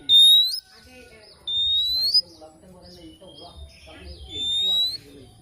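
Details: Oriental magpie-robin in the morning giving three long, pure, slowly rising whistles spaced about two seconds apart, with softer mixed chattering and background murmur between them.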